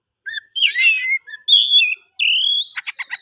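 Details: Song of a captive-bred oriental magpie-robin: a scratchy warbled burst, then a clear whistled note and a rising whistle ending in a rapid rattling series of short notes.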